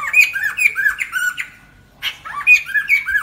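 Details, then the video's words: Lesser necklaced laughingthrush singing, played as a trapping lure, in loud, harsh, squawky phrases with ringing overtones, about two per second, with a short pause midway, in a small indoor space. "Khướu cổ khoang hót"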